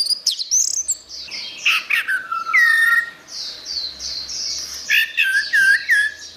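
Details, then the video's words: Orange-headed thrush song for training other songbirds: high squeaky bursts, then mellow, drooping whistles and a high, wavering warble. Loud, looping slurred whistles repeat near the end. "Ocehan Suara Burung Anis Merah"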